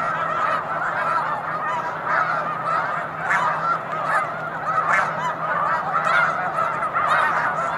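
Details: Snow Geese in a big flock on Cayuga Lake, March afternoon; steady wall of high nasal honks from countless birds, with brief louder individual yelps rising out of the din.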